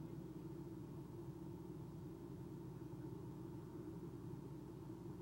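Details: Only a quiet, even low rumble and hum continues throughout, with no calls or other distinct sounds.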